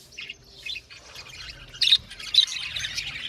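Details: Aviary budgerigars give scattered short high chirps at first, then louder sharp squeaky notes near the middle, followed by steady, overlapping twittering.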